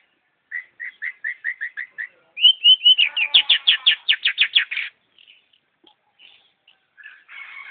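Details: Singing long-tailed shrike: a row of eight short, evenly spaced notes, then whistles running into a rapid, loud rattle of repeated notes, followed by faint scattered sounds.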